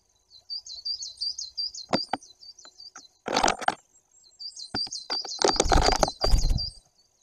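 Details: Great tit filmed close to a camera behind glass in Bory Tucholskie, Poland, 2 September 2022: bursts of high, fast, repeated notes broken by loud knocks, thumps and rustling, probably the bird at the glass.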